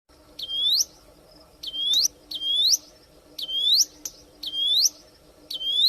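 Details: Wild Plain prinia singing vigorously in nature: long, bright whistled notes sweeping upward, each about half a second, given roughly once a second in a steady series, with a faint low hum beneath.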